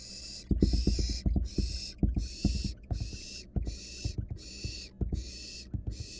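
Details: Wild barn owl chick in a nest box, caught on camera as it swallows a rat, gives steady rasping hisses roughly every three quarters of a second. Knocks and scraping from the box floor sound between them.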